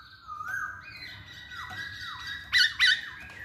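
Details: Masked laughingthrush kept as a cage bird, used to spur other birds to sing: drawn-out wavering whistled notes dipping and rising, ending in two harsh loud squawky bursts.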